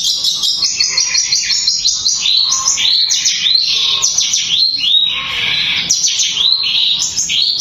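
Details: Kept long-tailed shrike with a speedy, dense 'tembakan' song meant to stir other shrikes into excitement. It gives a long stream of quick up-and-down whistled loops and scratchy chatter, steady for over seven seconds.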